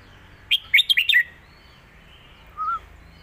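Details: Caged red-whiskered bulbul used in song contests, singing a master phrase for teaching chicks: a fast run of five or six whistled notes, followed two seconds later by a single lower, faint note.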